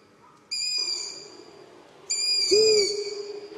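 A single short, low owl hoot that swells and fades, heard over sustained high tonal music.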